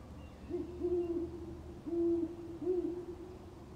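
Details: A great horned owl hooting in a yard in broad daylight gives a deep, soft series of four or five hoots, a stuttered pair followed by longer notes, over quiet background.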